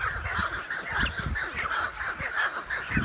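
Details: American white pelicans nesting in a large colony alongside cormorants on a remote island in Canada, filmed June 23, 2018 on an iPhone 7+. Continuous overlapping honking chatter from many birds over low rumbling background noise.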